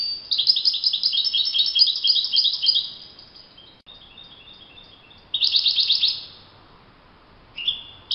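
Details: Wild European goldfinch in full song: a long fluid run of rapid, liquid chirps and trills, a brief quieter pause, then another fast twittering phrase and a short high note.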